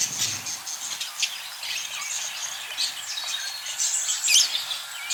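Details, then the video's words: Busy budgie chatter, with thin twittering, brief whistled slurs and scratchy chirps layered on top of each other throughout, growing slightly louder and more crowded toward the close. "U Probably Don't Understand What Are They Saying Because.... Budgerigar Budgies Parrots birds"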